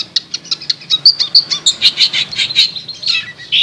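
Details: Long-tailed shrike in a master chirping recording: sharp high chips in an irregular series, some with clear whistled accents, ending in a brief lower, scratchy phrase.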